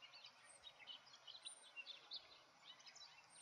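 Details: House finch (Haemorhous mexicanus) singing a fast, jumbled warble of short chirpy notes that runs on without pause, heard somewhat faintly over a steady hiss of background noise.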